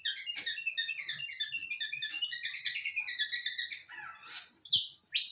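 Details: Long-tailed shrike singing busily: a rapid, dense chatter of squeaky twittering notes for about four seconds, trailing off into softer scratchy sounds, then two loud isolated harsh rasps.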